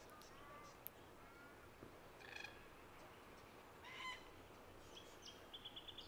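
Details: Red-tailed black cockatoos at Kings Park, Perth, Western Australia, on 29 October 2023, give a few harsh, rolling, honking calls over a steady hiss, followed by a short run of high, quick notes from another bird.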